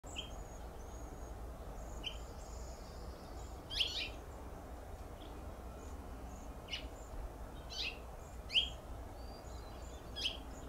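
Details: Male House Finch perched on a flowering plum tree in Pacific Grove, California, giving sharp, short cheep contact calls spaced a few seconds apart, about four clear notes, with faint high thin notes from other birds behind a low steady rumble.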